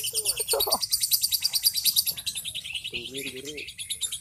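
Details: Lovebird prepared for a national singing competition, giving a shrill, very high chattering trill pulsing about three times a second, with a few lower warbled notes underneath.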